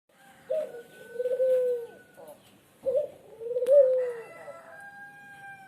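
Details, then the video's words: Tame, very vocal dove from Lombok, known locally as puter: two long, low cooing phrases, each opening with a short rolling note and then a sustained hum, with faint tonal background sounds. "Burung Puter Lombok Jinak Gacor ( Petuk Lombok )"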